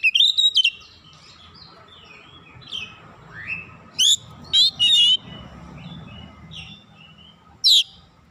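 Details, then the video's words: Oriental magpie-robin singing vigorously as a lure for other magpie-robins: a quick opening run of whistled notes, softer rising slurs, then a loud clipped phrase repeated three times and a final sharp note. "PANCINGAN KACER LANGSUNG GREGET GACOR BONGKAR ISIAN"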